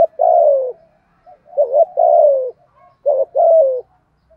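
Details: Spotted dove coo in the 'thổ' voice style, a 'thúc gù' urging call meant to provoke untamed doves into cooing back. Short double notes lead into a long, falling, hoarse coo, and the phrase repeats twice.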